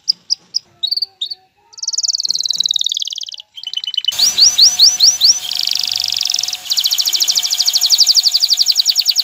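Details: Male canary singing to encourage a female to mate and build a nest: separate chips and a buzzy trill, then over a noisier background a run of falling notes and a long rapid rolling trill.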